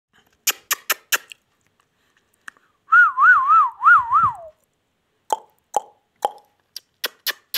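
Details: Pet ringneck parrot. A clear whistled phrase wavers up and down in five quick loops, then glides downward. Sharp clicks and taps come before and after it.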